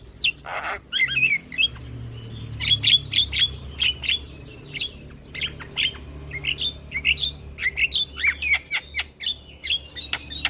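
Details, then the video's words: Lure song from a Javan myna (jalak kebo) meant to restart stressed birds' singing: one harsh burst, then lively chatter of quick upward and downward whistled notes and clicks, repeated irregularly throughout. "Terapi Burung Jalak Stres Macet Bunyi Rutin Putarkan Suara Pancingan Jalak Kebo"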